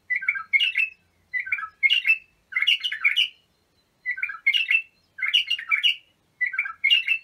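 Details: Bulbul singing as a tutor for young birds: paired, gurgling whistled phrases that dip then rise, delivered in quick clusters separated by short silences, clean and loud.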